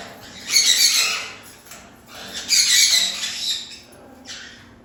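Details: Parrot giving two harsh, raspy squawks about two seconds apart, each lasting under a second, with a fainter scratchy note trailing at the end.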